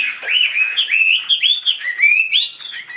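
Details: Chinese hwamei kept as a tame cage bird, singing loudly indoors: a fast continuous run of bright, slurred whistles that wave up and down without pause.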